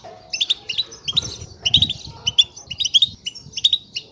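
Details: European goldfinch nestling begging with rapid high-pitched chirps, about 105 a minute, grouped in short twittering clusters, over faint low rumbling.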